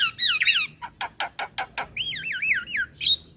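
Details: Model song of an Asian pied starling for young learners, played each morning: squeaky whistles, then a row of evenly spaced harsh notes, then a wavering whistled trill and a final chirp.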